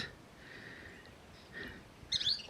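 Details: Near a nest along the road in Box Canyon, southeast Arizona, Thick-billed Kingbird adults give faint, thin notes, then a brief, loud, buzzy burst of high calls near the end, growing animated as one arrives with food; otherwise quiet.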